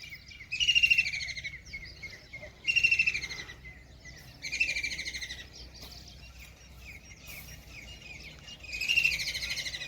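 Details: Kingfisher perched by a river after eating a big fish in Ranthambore National Park, Sawai Madhopur, Rajasthan: four loud, harsh, rattling bursts, each about a second long, with pauses of a few seconds between them and faint chirps from other birds in the gaps.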